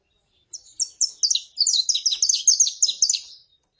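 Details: Male saffron finch song, recorded to excite other males: a rapid, crowded series of high chirping notes that speeds up into a jumbled burst lasting about three seconds, with a quiet background.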